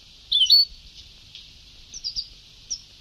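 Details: Sebtawi-style goldfinch song from an old recording: one loud, rapid twittering phrase, then a few softer, thin chirps trailing off over light hiss.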